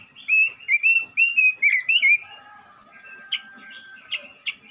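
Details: Energetic male robin song used as a lure for other robins: a loud string of quick whistled, warbling notes for two seconds, followed by quieter phrases punctuated by three sharp chips.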